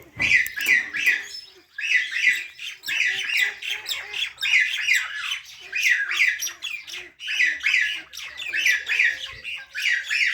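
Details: Parrot chirps and squawks in steady paired bursts, harsh and scratchy, repeating roughly once a second with brief pauses, sounding indoors.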